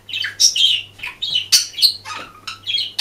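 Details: Hidden camera records a budgerigar's song: loud, dense chatter of scratchy squawks, squeaks and clicks in quick phrases, with brief pauses and a steady low hum.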